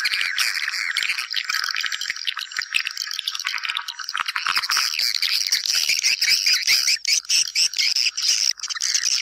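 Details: Swiftlet calls used to lure swiftlets into a house: a dense, continuous stream of high, scratchy chirps and twitters, overlapping rapidly at around two per second and steady throughout.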